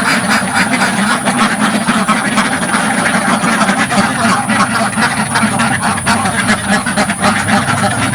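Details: A crowded village duck pen at close range, with dozens of ducks producing a dense wall of overlapping loud quacks and a constant high hiss.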